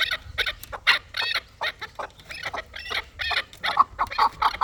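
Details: Chukar partridge of a fighting type giving quick, uneven clucking chuk notes, fairly soft, some sharper and higher, repeated about twice a second over a low background rumble.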